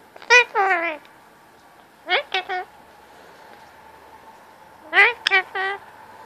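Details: Pet male Indian ringneck parakeet talking at cuddle time to get attention and petting indoors: three clusters of quick, harmonic, falling chatter syllables, each burst short and bright, separated by quiet pauses.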